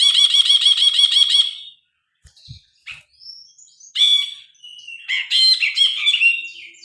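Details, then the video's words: Grey-cheeked bulbul, phone recording, opens with a rapid rattling trill of repeated notes, pauses with faint low knocks, then loud varied chattering and warbled phrases. "Burung brinji kelabu gacor. Masteran burung.Suara burung brinji kelabu"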